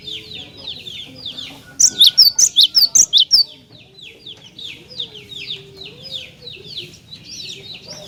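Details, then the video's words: Loud, lively cinereous tit song for baiting other tits into reply: about ten sharp, high, clipped notes in a rapid run, then a steady wash of softer downslurred twitters from other birds. "Jika Glatik Batu Anda Di Pancing Dengan Kicauan Glatik Batu Gacor Ini"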